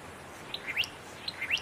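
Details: Satin flycatcher singing in fire-damaged trees in Namadgi National Park, south of Canberra, Australia; two quick matching phrases, each a high short note, a lower note, then a bright upward-sweeping whistle, over faint steady background hiss.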